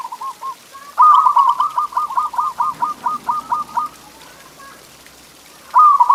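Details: Zebra dove song aimed at coaxing pet doves to sing: after a soft coo, a long evenly paced string of about twelve clipped, bouncing notes fades out, then a loud new phrase begins.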